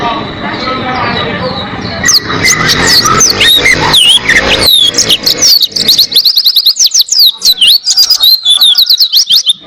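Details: Oriental white-eye singing as a tutor recording for cage birds: after a hissy opening, high thin whistles begin, then build into a rapid, unbroken chatter of sweet, slurred notes that runs to the end.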